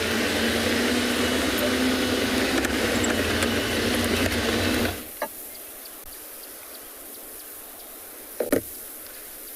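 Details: Loud broadband engine or machine noise runs for five seconds, then stops abruptly, leaving quiet background with a few brief clicks.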